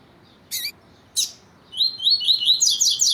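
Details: Double-collared seedeater (Sporophila caerulescens), male song with a female calling, played to stimulate captive males: two short, sharp chirps, then a quick run of high, bright whistled notes rising and falling rapidly over about a second and a half.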